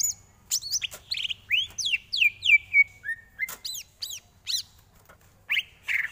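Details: Greater green leafbird tutor song for training: a cascade of descending slurred whistles sliding into a held tone, then a few sharp chips and two husky notes at the end.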